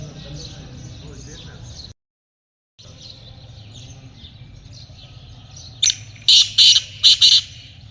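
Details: Black francolin in a hunting setting: after several seconds of quiet rural background and a brief dropout, a burst of harsh, scratchy notes arrives near the end, four or five grating pulses in quick succession.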